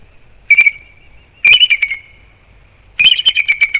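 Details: Bald eagles, a nesting pair on Captiva/Sanibel Island, Florida, calling in alarm at something to the right of the nest on a December 2021 morning. There are three bursts of shrill, staccato piping chirps, each trailing into a thin, steady high whine.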